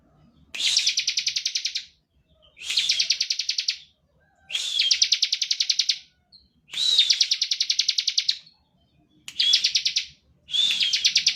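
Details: Bar-winged prinia in steady song, used to provoke other birds to sing: six evenly spaced bursts of fast, buzzy chipping, each about a second long, separated by short quiet gaps.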